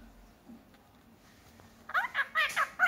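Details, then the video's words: Six-month-old pet Indian ringneck parakeet talking: after near silence, a short run of about five quick, harmonic, speech-like syllables in the final second, rising and falling in pitch, with a faint low hum underneath. "talking Parrot video"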